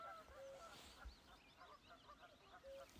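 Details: Canada geese flying over a spring hillside give a few nasal honks amid a busy scatter of higher, chirping calls from other birds.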